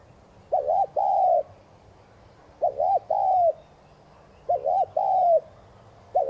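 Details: Thúc gù cooing of a spotted dove, used to excite newly caught birds to call. It repeats a soft phrase of two brief hiccuping notes and one long, level croon roughly every two seconds. A fourth phrase begins at the end.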